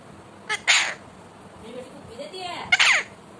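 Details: Talking pet Indian ringneck parakeet gives two loud, rough, speech-like bursts about two seconds apart, the second with stacked falling sweeps, with soft gliding murmurs between them.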